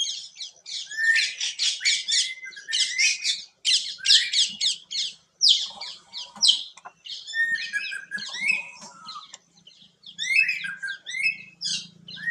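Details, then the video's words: Greater racket-tailed drongo singing a long, varied series of high squeaks, chirps and whistles in bursts, with lower slurred notes mixed in and a faint low hum in the background. "Song of Greater racket-tailed drongo(भीमराज/भृंगराज)"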